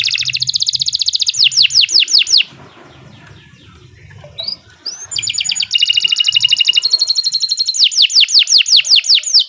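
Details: Canary song used for training birds: a fast rolling trill leading into slurred notes, a quiet gap with faint chirps, then a dense buzzy trill and another quick series of slurred notes.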